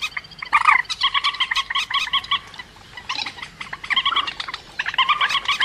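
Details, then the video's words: Rail calls for luring birds into traps: rhythmic trains of nasal, harmonic notes in fast pulses, in three bouts separated by short quiet gaps. "Tiếng cuốc biển chuẩn"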